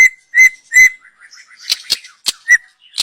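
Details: Young wild white-rumped shama from the forest, song for a lure; three loud sustained whistles on one pitch, then softer clicks and high scratchy notes before a final short whistle.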